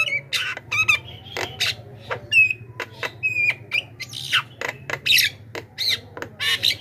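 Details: Javan myna lure call used to draw in wild mynas: rapid series of loud, harsh squawks and screeches with short high whistled notes mixed in, in an irregular, busy stream.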